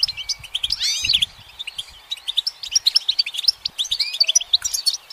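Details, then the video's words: Goldfinch perched on a branch singing, a fast tinkling twitter of high, liquid notes with rapid rising and falling slurs and a brief burst of tangled trills near the start, with faint low knocks beneath. "The goldfinch's motivational song"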